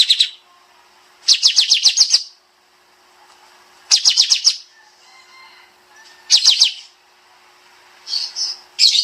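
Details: Bulbul (kapas tembak), master recording for training songbirds in rapid-fire 'nembak' style: bursts of fast, high, downslurred notes in tight trills about two seconds long, separated by short pauses with soft chatter.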